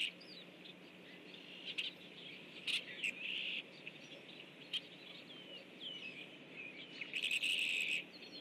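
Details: A group of rusty blackbirds flying in at 07:55 on 17 October 2013: scattered short chips and squeaky high notes, with a louder burst of calls near the end, over a steady background hum.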